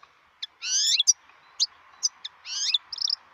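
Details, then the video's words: Wild European goldfinch song made of drawn-out nasal notes with rising tone, separated by sharp short chips, over a soft steady background hiss. "صوت الحسون البري"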